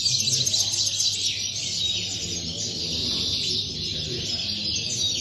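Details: European goldfinch singing in a Tarragona song contest, 26 January 2020, placed first: fast, liquid twitters and chattering trills, repeated several times a second in a continuous high flow, faint room noise beneath.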